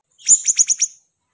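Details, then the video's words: A Siri-siri bird in lively song gives a short burst of five bright, high-pitched chips. They are closely and evenly spaced, with the opening note strongest, and they end abruptly. No other sounds are heard. "burung siri siri ku apik yoo"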